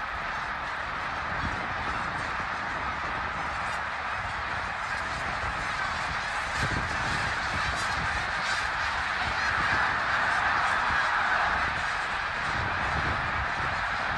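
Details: Vast migrating flock of snow geese passing through Bath, Pennsylvania, 19 January 2021, calling nonstop: dense, overlapping honking yelps that swell slightly in loudness midway, with faint low thumps beneath.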